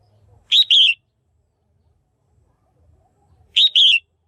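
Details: Female red-whiskered bulbul calling to stimulate males or for pairing: a loud, bright two-part whistled chirp, the second note slurring downward, given twice about three seconds apart in near silence.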